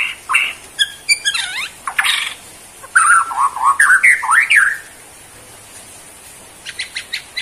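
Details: White-rumped shama, Borneo form, performing a bowing display: swooping whistles and bursts of warbled notes, a pause with only quiet background, then a few soft ticking notes at the end.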